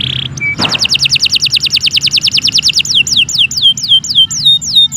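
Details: Canary singing for other birds to learn from: a brief tone, then a long fast series of bright descending whistled notes that slow into wider swoops near the end.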